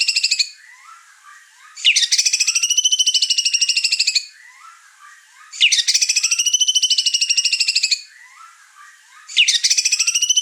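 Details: Over-excited white-rumped shama unloading its repertoire and agitating birds sharing the house. A loud buzzy rattling phrase repeats about every four seconds, with soft chirps and short notes between.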